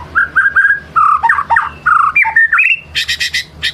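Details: White-rumped shama in good condition, singing to lure other shamas into unloading their mimicked songs. Clear whistled phrases repeat about every fifth of a second, then shift into slurred notes and end in bright, rapid high chips.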